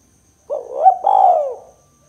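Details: A spotted dove's 'kuk 2' call, meant for luring and prompting other birds: one hoarse coo phrase, a short rising note breaking into a longer, rolling, downward-arching coo, in quiet surroundings.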